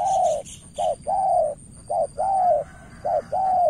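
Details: Spotted dove in a decoy contest with a rival, calling a fast alternation of short coos and longer level coos at close range, evenly paced, with high faint chirps early on.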